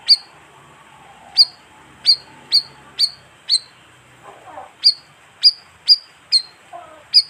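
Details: Bayeman bird used to attract wild birds: bright, high chirps repeated about twice a second, broken by a short lower twittering from another bird midway.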